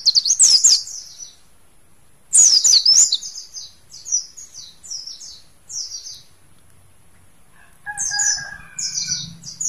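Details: Mountain white-eye from Mount Slamet, a kept bird, giving bursts of high, rapid twittering notes, then shorter sweet chirps; lower, drawn-out tones from another bird join near the end.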